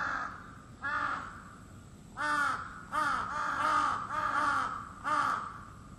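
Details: Crow cawing in the early morning, calling every day from 4 a.m.; harsh, nasal caws in an uneven run, some drawn out and others clipped, with a soft background hiss.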